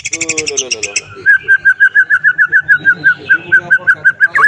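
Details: White-rumped shama singing to provoke other shamas into answering and pouring out their learned songs: a few rapid chirps, then a steady run of about eighteen identical short whistled notes repeated several times a second.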